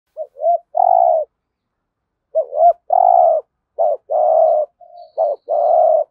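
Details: Spotted dove used as a decoy, its full 'hạp bổi'-style coo meant to rouse wild doves; short clipped notes lead into long, low, hoarse coos, four coo phrases with brief gaps, no other sounds.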